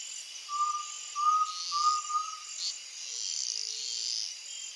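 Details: Undulated tinamou at sunset, Brazil: three clear, slightly ascending whistled notes in quick succession, followed by a faint low whistle, with buzzing insects in the background.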